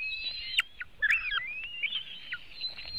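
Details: White-tailed eagle nest in Latvia, filmed by webcam on 24 June 2018 at 3:23 pm while eaglets are fed a large fish: thin, high whistled notes, some long and level, others sharply dropping, overlapping throughout over faint low rumble.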